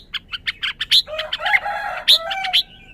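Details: Caged red-whiskered bulbul, possibly highly excited, gives a quick run of sharp, high chip notes, then a short warbled, slurred phrase with a lower burry undertone, ending in a few more bright chips.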